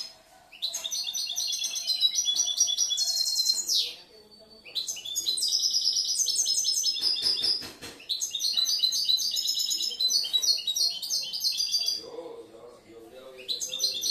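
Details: Caged European goldfinch, a young male from last year, singing a varied, mixed song: long runs of fast twittering, tinkling high phrases broken by short pauses, with faint room sounds beneath.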